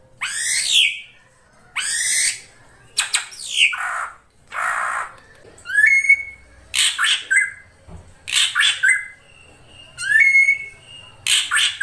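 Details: Ashy drongo song: harsh broadband squawky bursts alternating with clear rising whistles near the upper-middle range that level into a short flat tone, phrases spaced about every second or two, no other sounds.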